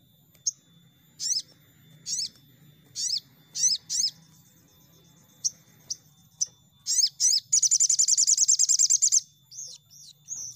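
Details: Crimson sunbird lure sound used to make untrained birds sing: paired, slurred high chirps and sharp ticks, building into a long fast buzzy trill lasting about two seconds, over a steady low background hum.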